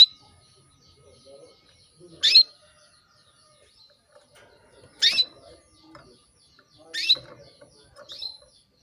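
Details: Female canary calling to a male to arouse him; three clear short chirps a few seconds apart, a softer fourth note near the end, and faint low background noises.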